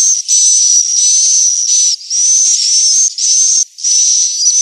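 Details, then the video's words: Swiftlet call played to attract young and adult swiftlets to stay and roost: sustained hissing buzzes carrying a steady high whistle, broken by short dips about every second. "SUARA WALET INAP PANGGIL"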